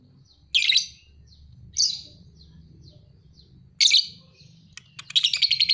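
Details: Two-and-a-half-month-old lovebird with fighter singing. Harsh chirps come about a second apart and are separated by a longer gap, then a rapid buzzy trill starts at the end. A low hum runs underneath.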